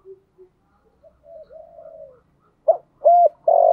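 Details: A spotted dove calling in the 'thổ sấm' voice as a decoy to attract wild doves in the rainy, windy season. Faint soft murmuring coos lead into loud, abrupt short hoots at the end.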